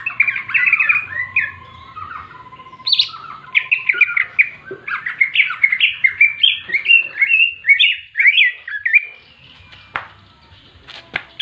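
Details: Greater green leafbird, known locally as cucak ijo, in its fighting song meant to provoke other birds of its kind: a long, varied stream of slurred whistles, chattering trills and sharp upward-swept notes, rapidly changing pitch, with a steady low hum.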